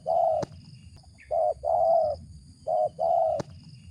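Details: Spotted dove, a wild bird, uttering the rough ngeruk call: low hoarse coos grouped in two pairs, each a short note then a longer one, over a faint high insect drone and a couple of sharp clicks.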